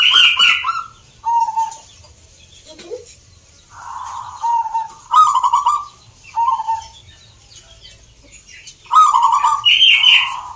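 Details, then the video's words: Zebra dove song at a local contest in Salatiga, Central Java, with several birds and many entrants from nearby cities: a series of short coo phrases from competing birds, plus occasional brighter, higher whistled notes. "Perkutut gacor door"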